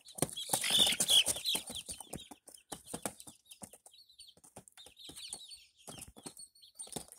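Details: Barred Plymouth Rock chicks, five young birds recorded in May 2024, open with a loud, crowded burst of shrill peeping, then continue with sparser, clearly separated downslurred cheeps and some soft clicking.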